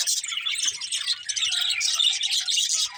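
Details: Budgerigars chirping in a dense, continuous chatter of overlapping warbles and chirps, mostly high-pitched, with brief soft low thumps beneath.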